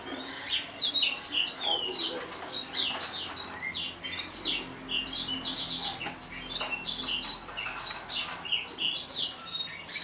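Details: Atlantic canary, a 2014 competition champion, chirps and trills in quick, choppy high bursts of notes, steady and unbroken across the recording against a light background hiss.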